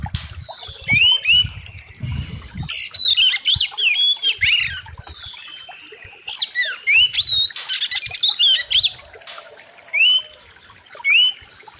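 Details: Oriental magpie-robin song full of varied fills, a master recording for training birds, with a wild river setting. Loud clusters of rising whistles and quick trills repeat many times over low thumping background noise.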